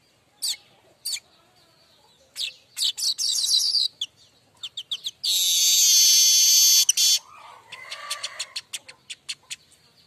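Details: Vocal streaked weaver singing the buzzy 'mbeset' style used to teach untrained weavers: spaced sharp chips, a quick rattle, then a long loud sizzle, followed by a fast run of thin ticking notes.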